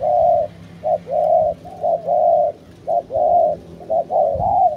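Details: A domestic spotted dove kept as a lure bird, giving soft, low, hollow coos in a run of rounded notes, about one per second, over a faint background hum.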